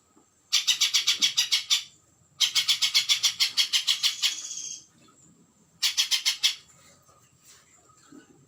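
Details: Spiderhunter song for bird training: three bouts of quick, sharp, high repeated notes at about three and a half per second, each lasting one to two seconds, with quiet gaps in between.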